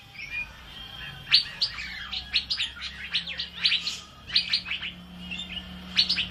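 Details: Energetic Asian fairy-bluebird song, recorded for training other birds: a clear run of bright, high chirping and whistled notes in rapid groups, with a soft low drone behind.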